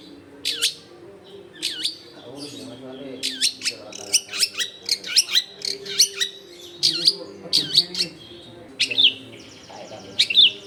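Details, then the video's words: Long-tailed shrike singing to lure wild shrikes: a steady series of sharp whistled notes, each a deep down-up swoop, repeated roughly every half second to second, with low background rumble. "SUARA CENDET GACOR AMPUH BUAT PANCINGAN CENDET BAKALAN"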